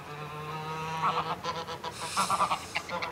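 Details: Adult greylag goose in close-up threat behaviour: short clusters of nasal cackling notes and a brief noisy hiss, fairly low in level above a constant low hum.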